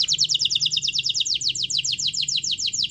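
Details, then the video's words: Domestic canary in lively, nonstop song, used as a lure to prompt a silent canary to sing. A fast, even trill of rapid high downward-sweeping notes repeats throughout, with a faint low hum beneath. "Suara Kenari Gacor Yang Malas Bunyi Awas Kaget Ikut Bunyi || Pancingan Kenari Agar Bunyi"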